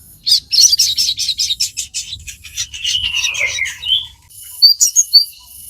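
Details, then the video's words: Crimson sunbird, used to teach caged birds to sing, delivers a rapid buzzy trill of evenly repeated high notes, then a sliding warble and several separate bright chirps. "Pancingan sogon gacor full ngoceh"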